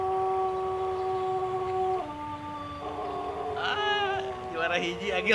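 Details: Long crow from a contest-winning Jajangkar Pelung rooster in West Java, Indonesia: a level sustained tone stepping down twice in pitch, while a second bird's rapid rippling notes and some voices break in toward the end.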